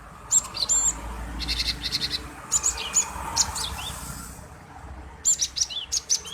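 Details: Male cinereous tit chattering to provoke other birds into song: bright high whistled chirps and buzzy note runs, then a closing series of quick slurred chirps, over faint background noise.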